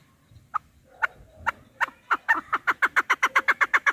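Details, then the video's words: Chukar partridge calling, recorded for hunting use: sharp clucking notes that start slow and spaced, then speed up into an even, rapid chuk-chuk series of pitched pulses. "Овози кабк кеклик калик пение каклик"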